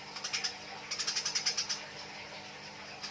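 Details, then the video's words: Fighting Eurasian tree sparrows chattering harshly: a burst of rapid, scratchy chirps, about ten in quick succession, then quieter background hiss and one last chirp at the end. "MASTERAN GEREJA TARUNG || SUARA BURUNG GEREJA || BURUNG GEREJA NYRECET"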